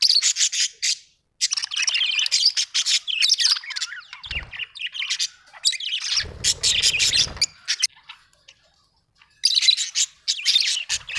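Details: Budgie chirping in dense, raspy chatter, continuous streams of high scratchy notes with a couple of short pauses and some low rumble.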